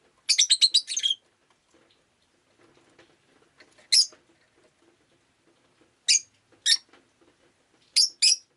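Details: Pet rosy-faced lovebird on a rainy day: a rapid, scratchy burst of chirps, then single and paired shrill chirps every second or two, with faint soft clicks between.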